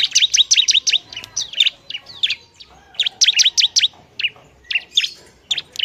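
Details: Bar-winged prinia (ciblek) song, used to provoke other prinias: rapid bursts of sharp, high chirps in quick runs of four to six notes, separated by short pauses.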